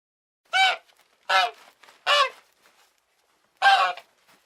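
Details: Goose calling with four harsh, trumpeting honks, three in steady succession under a second apart, then one more after a longer silence.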